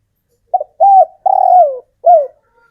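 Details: Male spotted dove of local stock, taken from the wild and kept, cooing closely to call females: a short clipped note, a smooth coo, then a long vibrating coo sliding downward, and a final falling coo, with no other sounds.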